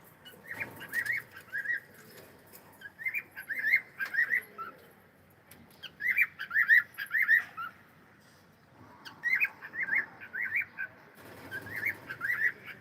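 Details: Cockatiel sound and singing: long sequences of rapid, wavering whistled notes delivered in four clusters of warbling phrases separated by brief pauses.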